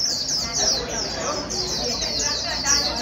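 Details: A 'bổi' white-eye pushed to sing rapidly ('mau líu') gives a run of thin, high, quickly repeated sliding chirps. Brief louder bursts stand out amid the steady stream.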